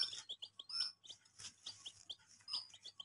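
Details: Group of baby chicks chirping, bright high-pitched peeps overlapping in quick succession, some notes dropping steeply in pitch, against a faint low hum.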